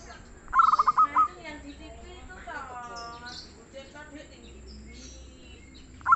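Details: Local zebra dove, described as singing freely with a soft, mellow voice: one rapid stuttering phrase of low, hollow cooing pulses ending in two longer notes, then another phrase beginning; other birds chirp and warble in the background.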